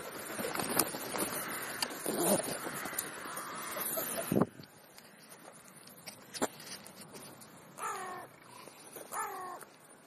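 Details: Crow feeding at a mid-morning snack; after several seconds of rustling and knocking noises, two short hoarse harsh caws ring out near the end, spaced about a second and a half apart.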